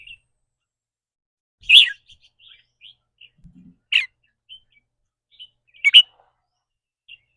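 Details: Red-whiskered bulbul in a cage, singing rik rua or rik ble phrases shaped by its mood of the day. Three loud, rough, rolling notes come about two seconds apart, separated by thin soft chirps.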